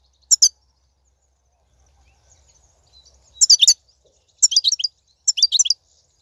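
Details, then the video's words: Wild goldfinch song from 2019, played to prompt caged goldfinches to sing: a brief twitter, a pause with faint low hum, then three quick bursts of bright, jangling notes. "بتبتة الحسون , (بتبتة برية 2019) , فيديو تحفيزي"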